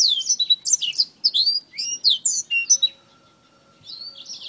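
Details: Black-throated finch sparring with a finger: a quick burst of shrill, downslurred chirps and squeaks for about three seconds, then a near-silent gap before a single high slurred note.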